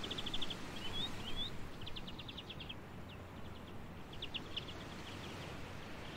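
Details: European greenfinch perched on hawthorn in a coastal dune area, giving short dry trills in quick bursts, with a brief upslurred note between them, over a steady hiss of outdoor ambient noise.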